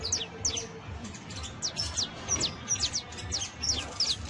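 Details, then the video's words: Young saffron finch giving high, thin downslurred chirps, spaced unevenly and sometimes doubled, over a steady low rumble. "CANTO: CANARIO BASTO [SICALIS FLAVEOLA JUVENIL]"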